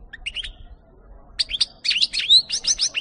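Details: European goldfinch singing, recorded in 2018: a short twittering phrase, a pause, then a quick run of bright, tinkling chirps mixed with a buzzy, rising note, all high-pitched.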